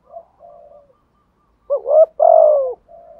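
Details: Spotted dove, a decoy bird with a "giọng thổ" voice, cooing "thúc gù". Faint low murmurs are followed by a single strong phrase, a hurried two-note stutter and then a long even coo that falls at the end.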